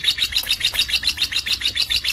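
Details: Rhythmic high chirping from a lovebird presented as bold with adult birds and suitable as a tutor, about five notes per second, each note doubled and slightly buzzy.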